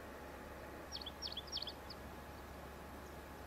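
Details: Pine grosbeak at its nest in elfin pine forest on Sakhalin island gives a quiet, soft song: three brief clusters of high, thin chirping notes, then one lone note, over a steady low rumble.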